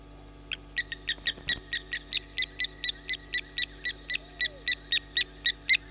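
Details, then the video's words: Small owl calling at 23:30 at a waterhole on Djuma Game Reserve, Sabi Sand Wildtuin, South Africa, on a live camera. It gives a long, evenly spaced series of short, clear, mid-high notes, about four per second, rising slightly in loudness. "Small Owl"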